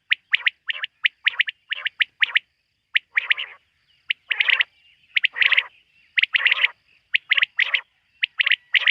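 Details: Quail calling at night, linked to quail hunting: sharp, clipped notes in quick bursts with rougher, raspy calls between them, repeating steadily through the clip with short silent gaps.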